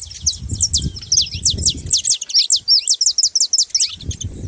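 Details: Saffron finch singing a rapid, jumbled run of sharp, high chirps and short downslurred notes that speed into a dense chatter midway, with low rumbling background noise at the start and end.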